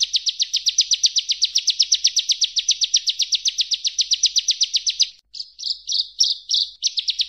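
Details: Continuous 'tembakan' song of a Bar-winged prinia (ciblek), recorded as a master for training magpie-robins: a long run of fast, high, clipped notes, then a short pause and a few buzzier, varied phrases before the rapid series resumes.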